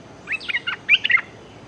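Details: Streak-eared bulbul calling a mate: two quick bursts of short, chirpy notes that bend up and down in mid-high pitch, the second burst brighter and louder, with quiet background.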